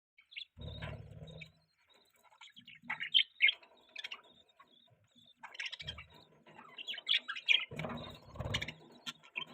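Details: Budgerigar chirping in irregular bursts of short, high, squeaky chirps and scratchy warbled notes, several rapid runs around the middle and end, with soft low thumps beneath some bursts.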